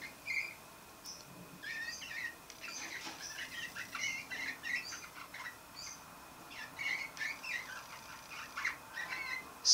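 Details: Juvenile male Roller canary, not quite two months old, caged, practising an immature early song while flitting between perches; soft, scattered warbling chirps and twittery notes, uneven and quiet, with a louder chip near the end.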